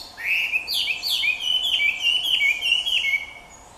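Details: At Jike Furusato village, a Chinese Hwamei singing close in front sings a loud, rich run of clear whistled phrases, sliding and slurred, some notes rising and others dropping, delivered rapidly over about three seconds.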